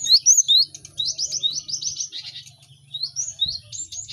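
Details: Noisy group of cinereous tits used to train caged birds to sing: bright whistled notes open, followed by a run of buzzy repeated chirps, then quieter upslurred whistles, with a steady low hum underneath.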